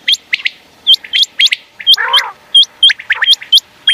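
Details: Common quail calls, used as a night hunting sound: sharp high notes hooking steeply upward, often in twos and threes, mixed with lower chirps and a brief harsh buzzy burst midway.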